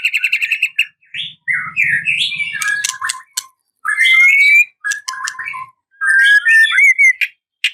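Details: Rival-provoking song of a white-rumped shama: a quick trill, then a jumble of varied whistles, harsh squawky notes and sweeping slurs in several bursts with short pauses, plus a brief low rumble.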